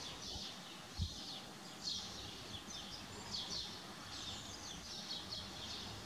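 Spotted Flycatcher giving thin, high, squeaky notes, repeated roughly once a second over a low background rumble, with one dull knock early on.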